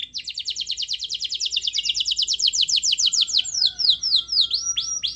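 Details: Energetic canary singing as a lure to set off another canary: a long rapid trill of downward chirps that slows into wider, looping descending whistles near the end.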